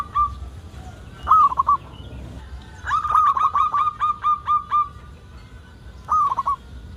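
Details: Local zebra dove singing vigorously as a lure for other zebra doves: a single coo, a clipped trilled phrase, then a long series of about nine regular, level cooing notes and a final tumbling phrase.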